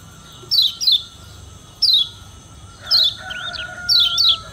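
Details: Yellow white-eye (kecial kuning) from Lombok in challenging voice toward rivals: sparse pairs of high, steeply descending chirps and a few wavering notes, spaced by pauses, against noticeable background hiss and hum.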